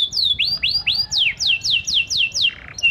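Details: A panda canary in strong song, used as a lure to prompt silent canaries to answer, repeats bright, high whistled notes, each swooping down in pitch, about three per second in a lively, rolling phrase.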